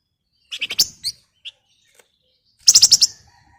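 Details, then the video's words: Female flamboyan calling to a male: a short burst of four scratchy, buzzy notes, a pair of single chips, then a tight rattle of five harsh high notes. "Burung Flamboyan Gacor Ngebren, Nyerecet Nyiul"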